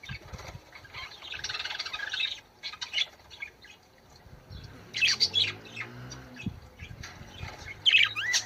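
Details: Budgerigar singing, offered to stimulate birds to breed: bursts of scratchy chatter and sharp chirps alternating with brief quieter pauses, a faint low hum in the background.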